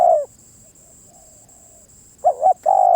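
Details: Spotted dove: the end of a long coo, a silent gap, then a fresh phrase of a quick wavering double coo followed by a sustained coo. A steady high-pitched hum sits in the background.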